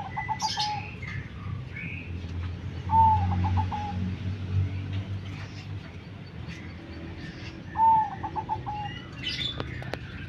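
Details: Zebra dove cooing: staccato coos, then two more phrases each opening with a longer note and running into rapid short notes, set against low rumble and occasional distant chirps.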